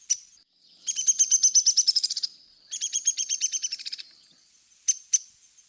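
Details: Downy Woodpecker, a resident species: two fast, high, sharp whinnies of about fifteen notes each, gently falling in pitch, framed by single squeaky pik calls.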